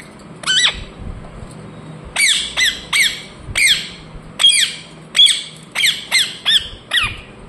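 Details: Indian ringneck parakeet giving harsh, chirping squawks, each a short note that drops in pitch. There is a single call, a pause, then about nine bursts in quick, uneven succession.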